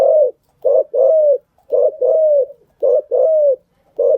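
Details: Spotted dove decoy cooing, used to train newly caught birds: a rhythmic pattern of a short note followed by a longer slurred coo, repeated three times about once a second.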